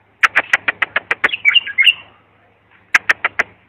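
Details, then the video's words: Bulbul song chosen for tutoring young bulbuls: a run of sharp clicking notes about five per second, then a short warbled phrase of rising and falling whistles, and after a pause more clicks. "تغريد صافي يفيد اذا عندك بلابل صغار او بلبل ميغرد"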